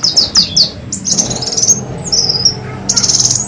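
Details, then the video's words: Lure call of the black sunbird, known locally as kolibri wulung, used to draw in birds: a run of four rapid high chirps, then a buzzy trill, a thin sliding whistle and a final high twittering burst. "Suara pikat dan pancingan burung kolibri wulung,kowul suara bersih"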